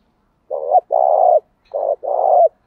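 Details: Decoy spotted dove calling to provoke wild rival doves. Two low cooing phrases, each a short coo followed by a longer, steady, hoarse coo ending in a slight upturn, with a brief pause between phrases.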